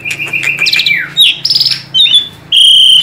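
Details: Tame Asian pied starling song meant to coax young starlings into singing: a brief run of level whistles, a downward slur, a rasping burst and a final loud sustained high whistle.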